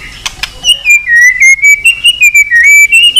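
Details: White-rumped shama singing a long song to provoke fighting. A continuous warbling whistle wavers gently up and down in pitch, broken into short linked notes, after two faint clicks.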